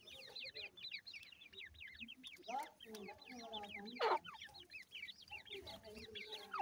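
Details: Grey francolin mother foraging with her chicks; dense chorus of quick, high, down-slurred cheeping notes, with lower soft clucks and a brief louder burst midway.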